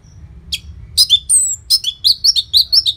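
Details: Orange-headed thrush, Bali, song played to prompt caged birds to sing: loud, varied run of sharp whistled notes and short slurred phrases, some mimic-like, quickening into repeated high chirps, steady low hum beneath.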